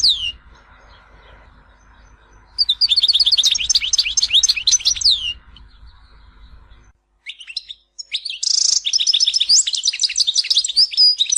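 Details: European goldfinch song from Tizi Ouzou: long stretches of fast, liquid, tinkling twitters and jangling trills, one extended phrase, a brief gap, then another vigorous run with a buzzy note.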